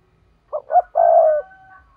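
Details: Spotted dove lure bird making its 'thúc' urging call for trapping: two quick coos and a long level coo, followed by a faint thin whistle in the background.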